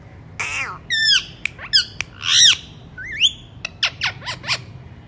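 Alexandrine parakeet giving a rapid run of harsh squawks and sharp, warbling whistles, about a dozen notes in five seconds, bright and high-pitched, with faint indoor hum behind.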